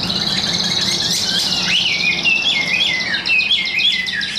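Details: A newly arrived young Chinese hwamei, tame and singing in a hand-held cage, gives a busy stream of high warbled notes and short wavering whistles, repeated roughly once a second against constant background hiss.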